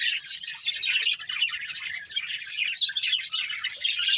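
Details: Several pet budgerigars of one family keep up a steady, dense chirping chatter, high and scratchy, with overlapping warbles and no pauses.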